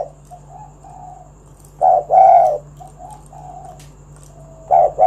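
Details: Spotted dove calling with a 'kuk 1' style coo, used as a lure to get other doves singing; faint low coos, then two loud, mellow, rounded coo notes around two seconds and another at the end, with a steady background hum.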